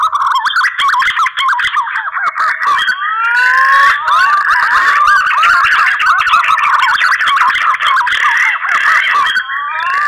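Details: Green pigeon mating call, used as a lure: a dense run of mellow, fluty whistles that slide up and down and overlap, several notes every second, with no pause.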